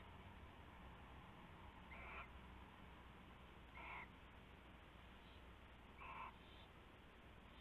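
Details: Night owl activity on February 19, 2016, with a rabbit handed over as prey; three brief rasping calls spaced about two seconds apart, moderately loud above a steady droning background.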